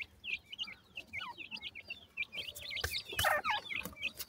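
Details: Peeping of several feeding, playing black francolin chicks: quick, high, twisting notes several times per second, growing busier toward the end, where a burst of rustling noise cuts across the calls.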